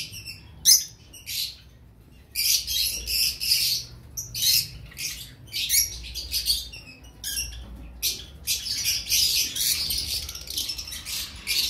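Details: Two-week-old cream cockatiel chicks giving harsh, hissing, raspy calls in rapid clustered bursts, high and noisy, rising and falling in intensity with brief quiet gaps between runs; no other clear sounds.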